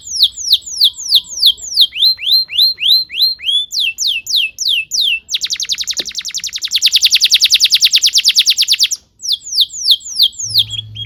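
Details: Canary song meant as a master recording for young birds: repeated swooping descending whistles, then a rapid buzzing roll, then more swooping notes, with a faint low hum near the end.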